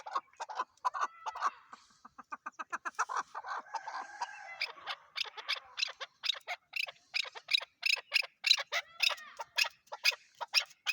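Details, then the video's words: Chukar partridge in a long accelerating series of clipped chuck notes that grows louder and denser, forming a rapid rhythmic chatter. "chakor# ki# awaz"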